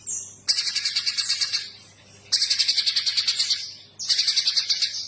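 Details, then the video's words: Mountain spiderhunter (pijantung gunung) singing energetically: three fast bursts of loud, high, evenly pulsed notes, each burst about a second long, separated by short pauses, preceded by a thin whistled note. "Burung Pijantung GUNUNG GACOR"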